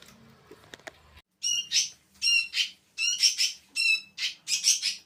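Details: Sooty-headed bulbul chicks on day 4, begging while being hand-fed: harsh, buzzy squeals repeated in bursts roughly every half second, after a brief rustle of handling at the start.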